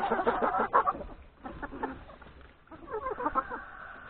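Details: Chickens and three roosters feeding in the yard at breakfast before grazing in the forest; rapid clucking at the start, a quieter pause, then renewed chattering calls from the flock.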